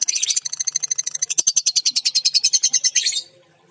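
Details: Female lovebird with a hurt beak chatters continuously for about three seconds, a fast string of piercing, high pulsed notes of even rhythm, then stops abruptly into silence.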